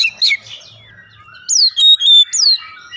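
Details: Oriental magpie-robin song as a lure; after a quiet pause, a loud downward-swept whistle is followed by steady tones and another falling sweep.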